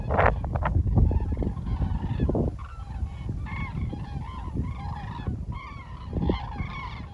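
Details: Common cranes flying over Hillensberg: many overlapping rolling, trumpeting calls with rich overtones, several birds calling at once, over strong low wind rumble.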